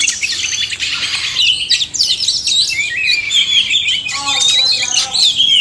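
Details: Male and female oriental magpie-robins singing together, used to stimulate caged birds that will not sing; varied, rich whistled phrases with sweeping slurred notes and short trills, continuous and loud.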